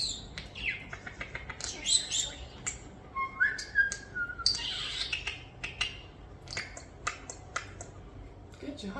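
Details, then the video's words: Two one-year-old pet European starlings, hand-raised after falling from their nest as babies, talking and imitating sound effects while playing: rapid clicks, whistled slides and squawky chatter, with a woman's voice speaking nearby. "Starlings Talking, Sound Effects, & Playing"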